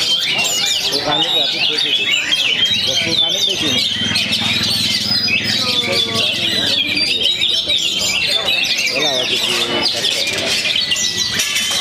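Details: Oriental magpie-robin from Perbaungan, North Sumatra, back in song after moulting: nearly twelve seconds of rapid high chatter, rising whistles and trilled bursts, with a low humming noise midway and faint talking.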